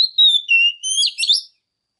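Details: One brief phrase from a singing female Oriental magpie-robin, used to rouse males: smooth whistled notes that dip lower, then a burst of higher warbled twitters, lasting about one and a half seconds.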